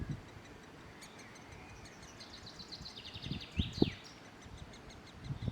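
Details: Great spotted woodpecker young being fed by adults: a rapid series of high, short chirping notes, rising then falling, building to a louder burst near the end, over low rumbling and thumping noise.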